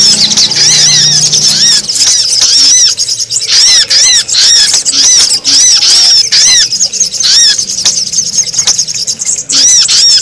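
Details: Brown-throated sunbird lure recording used to draw wild birds down: loud, high, arched chirps repeated rapidly in dense bursts with brief gaps, very strong and harsh throughout.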